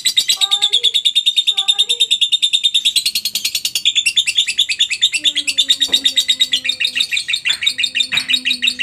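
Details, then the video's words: Long ngekek from a lovebird, used for training other lovebirds: sustained rapid high chattering, about three notes per second, with faint lower whistled tones from other birds in the background. "masteran burung Lovebird ngetik,ngekek cocok buat lb lain biar cepat gacor ,ngekek panjang"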